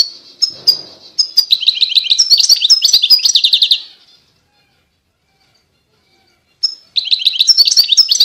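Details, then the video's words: European goldfinch song opening with scattered high calls, then a fast jingling twitter sequence, a silent gap, and another tinkling burst beginning. "Chant De Chardonneret"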